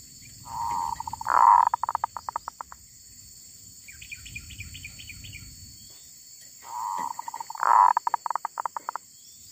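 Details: Wild female zebra dove. A steady hum builds into a loud coo followed by a fast stuttering series of short notes, heard twice over a low rustling background with faint high chirps.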